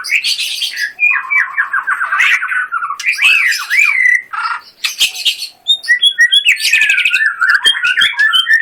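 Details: White-rumped shama in full song: fast, varied medley of harsh squawky notes, descending whistled runs, chattering trills and high thin chips, delivered almost without pause.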